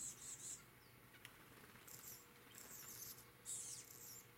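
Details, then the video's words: Chestnut-backed chickadee on Vancouver Island, Canada, among other birds: short, very high thin notes in bursts near the start and again after three and a half seconds, with soft background hiss. "Chestnut Backed Chickadee"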